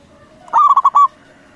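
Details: Single loud phrase from a local zebra dove, used to make other doves respond: a quick stuttering series of four or five clear, ringing coo notes finishing with a slightly longer held note, over low background noise.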